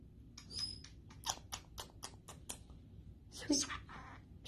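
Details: A red pineapple green-cheeked conure makes a quick run of sharp, smacking kiss sounds, several in two seconds, then a scratchy talking phrase mimicking the words "sweet bird".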